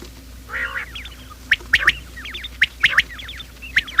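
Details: Quail calls used as a morning lure for trapping: sharp, bright repeated notes mixed with quick zigzag chatter, several birds calling over one another against a steady low hum.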